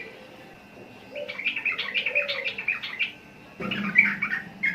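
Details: Sooty-headed bulbul giving a rippling chain of warbled notes, then a pause and a louder burst of tumbling phrases. Soft lower tones and faint background murmur are heard between.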